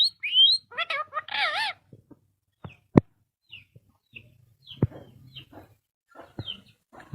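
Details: Ring-necked parakeet kept as a pet, mimicking speech with its owner: harsh warbled notes with wavering stacked tones in the first two seconds, then scattered short chirps, clicks and taps.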